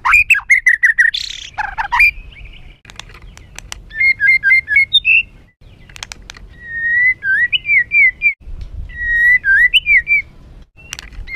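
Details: An agitated white-rumped shama sings a rough song to provoke other birds: clear whistled phrases repeated in short bursts with twisting notes, broken by brief pauses and a few harsh rasps.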